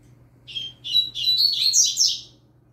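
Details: Young double-collared seedeater singing steadily, used for training: a quick run of buzzy, high twittering notes that rise and tumble over about two seconds, against a faint low hum.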